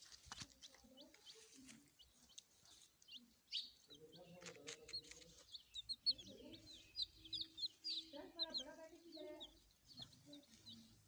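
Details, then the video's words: A busy brood of baby chickens (chicks) peeping in quick, high, downslurred chirps that overlap at an uneven pace, with some lower clucking or voice sounds underneath. "baby chicken chirping sounds"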